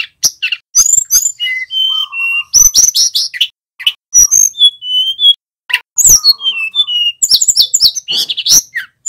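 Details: Male mountain flowerpecker in full song, used to stimulate other birds; varied high whistles, a few lower steady tones, quick descending slurs and sharp clicking notes in bursts with brief silences.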